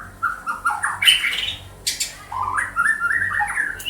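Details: White-rumped shama from Banda Aceh giving harsh squawking bursts mixed with stepped, rising whistled notes, with a steady low hum in the background.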